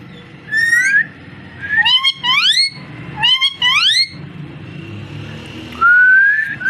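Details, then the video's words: Parrot repeating paired upswept calls, rising in pitch like questioning syllables, in two similar groups, then a long steady rising whistle, against low indoor background noise. "Amazing parrot so cute talking and voice"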